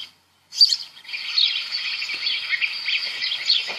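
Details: House Sparrows: after a moment of silence, a continuous, dense chatter of overlapping high chirps from several birds.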